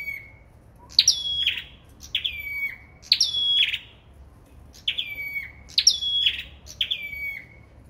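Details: Sâu đầu đỏ bird in competitive singing: bright high phrases, each a sharp upward flick then sliding whistled notes falling and levelling off, repeated about once a second with short pauses between bursts. Background is quiet.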